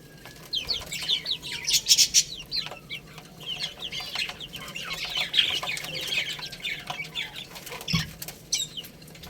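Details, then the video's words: Many little chicks chirp while playing and eating, quick high peeps about four per second in a ragged flurry, plus sharp taps and scuffling noises. "Cute Little Chicks Chirping Sounds| Baby Chicken Playing and Eating"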